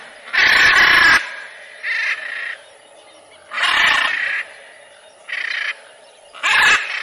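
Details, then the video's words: Macaw screeching: loud, coarse bursts, the first nearly a second long, interleaved with shorter, softer raspy notes every second or so. "CANTO DA ARARA"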